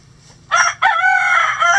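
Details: Rooster crowing in the coop of a chicken sanctuary on a sunny day: a short clipped opening note, a brief break, then a long sustained ringing crow over a steady low hum.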